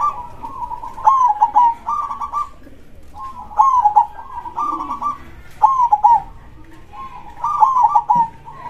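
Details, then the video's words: Local zebra dove (perkutut) singing with a big voice in the 'dor krosing' style, repeating a pattern about every two seconds: an accented falling note followed by bubbling purred trills, four phrases in all. "suara perkutut gacor dor krosing suara besar"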